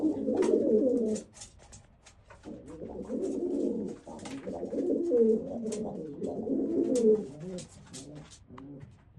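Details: Old German Owl pigeon breed cooing in low rolling bursts, the throaty phrases swelling and fading over several seconds, interrupted by sharp clicks and taps and a brief pause between bouts.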